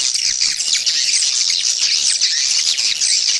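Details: Swiftlet lure call used to attract swiftlets and increase the population: a dense continuous chorus of high chittering, twittering calls without pause.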